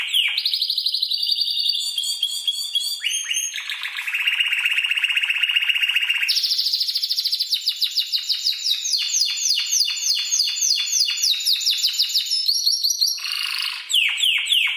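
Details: Spanish timbrado canary tutor song, used as a training recording for other birds. Continuous rolling trills shift between high and lower pitch levels, with rapid repeated notes. A fast, rattling trill comes near the end.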